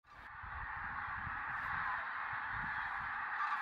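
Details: Common cranes at a golden sunrise in the Tister Bauernmoor, Germany, with much water and more cloud than forecast; a dense, unbroken chorus of many distant cranes merges into a steady trumpeting wash, with faint low rumbles underneath.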